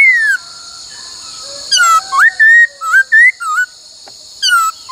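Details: Laughingthrush song from training in the "bắt cô trói cột" style: a falling whistle, a pause, then a cluster of rising and dipping whistled notes, with a constant shrill drone behind.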